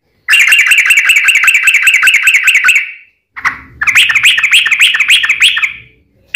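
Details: Sooty-headed bulbul giving a fighting song with long rapid trills, used as a lure to make other bulbuls answer; two dense bursts of fast, repeated bright chirps, the first about three seconds long, separated by a brief harsh note.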